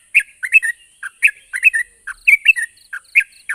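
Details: Trucuk, the Yellow-vented bulbul, singing to make stalled, silent birds reply. Lively chortling phrases of quick bubbly, liquid notes come in rapid clusters with short pauses, over a faint steady high hiss.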